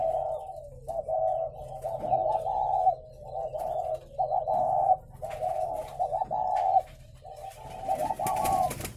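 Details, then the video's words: Captive spotted doves on a breeding farm in Vân Hòa, Ba Vì, Hanoi, cooing in repeated rough, humming bursts of about a second each, separated by short gaps, with some rustling and knocks. "chim cu gáy hay"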